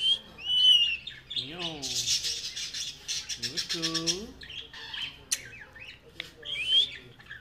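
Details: Pet talking rose-ringed parakeet, a friendly ringneck kept at home, mixing high whistled squeaks with lower wavering speech-like phrases and harsh squawks, sliding up and down in pitch indoors.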